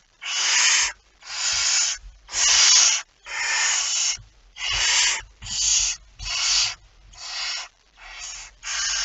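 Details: Ten steady rasping hisses, about one each second, from a barn owl with a mouse, recorded at 01:49 on 17 September 2019.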